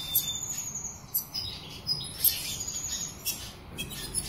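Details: High-pitched black siskin twittering, with quick chirps and a couple of sustained thin whistled notes, loose and irregular over about four seconds, over faint steady background noise.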